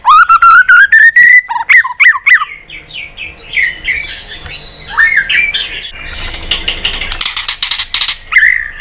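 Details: White-rumped shama, clicking and tail-flapping, singing a fighting song: a fast rising series of whistled notes, then looping slurred phrases and tumbling varied warbles, with a scratchy chattering passage near the end.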